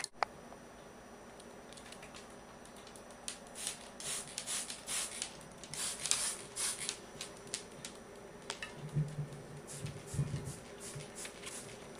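Quick tapping and clattering bursts, like keys or splashing, in a small room with no animal voice.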